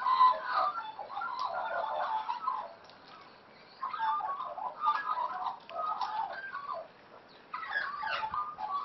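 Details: Australian magpies at play, wild birds brought up by their real parents; bubbling, gurgling warbled phrases come in bursts of one to three seconds, separated by short quiet gaps, with mid-pitched squeaks and trills.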